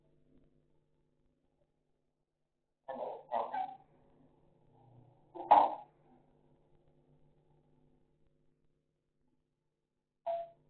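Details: African grey parrot talking in Sukkur, Pakistan: a few short, harsh, speech-like syllables around 3, 3.5 and 5.5 seconds, then one brief clipped note near the end, with quiet pauses between.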